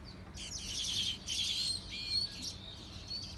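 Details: Bird chirping in bursts of bright, high twitters and short tweets, louder around the middle and end, with a brief sliding whistle near two seconds and quiet background between phrases.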